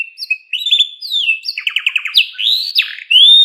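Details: Canary singing as a pet songbird, a bright varied run of whistled slides, rapid trills and rising sweeps, with one long high clear note at the end, in a quiet setting.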